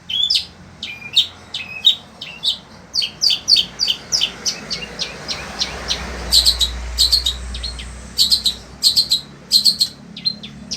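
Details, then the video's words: Long-tailed Shrike, sembur variety, a caged songbird in Indonesia, sings continuously despite heat like a desert. Rapid high chips and short rising whistles run in dense bursts, with a brief low rumble midway. "Burung Cendet INI TETAP MELOCOR DOR"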